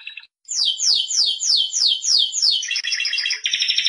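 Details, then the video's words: A Spanish Timbrado canary sings a run of bright, high falling notes, about four a second, then breaks into a fast, metallic rolling trill. "el cante del canario timbrado"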